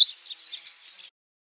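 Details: Lanceolated warbler song with a grasshopper-like chirring that is not too dense: a high, buzzy reel of fast, rattling notes lasting about a second, loudest at the start and fading away, with no other sounds.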